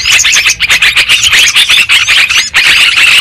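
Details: Yellow-vented bulbuls calling together on a trapping lure track, giving a thick wall of bright, twittering, overlapping notes with brief dips in loudness near the middle and toward the end.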